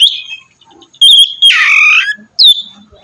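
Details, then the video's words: Oriental magpie-robin singing to prompt another: a level whistle, a brief pause, then a harsh buzzy dipping phrase and a final short downslurred whistle. "kacer gacor mancing kacer lain ikut bunyi"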